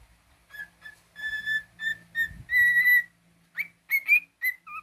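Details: Cockatiel kept as a pet whistling a run of steady, level notes that lengthen into one long held tone, followed by quick rising chirps and a short two-note phrase.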